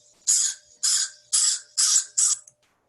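A crow gives five harsh, rasping caws, evenly spaced about half a second apart, with a quiet background.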